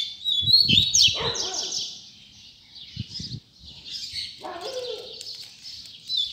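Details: Double-collared seedeater song of the tui tui zel zel style, high slurred and buzzy notes over faint low thumps and a brief lower sliding note.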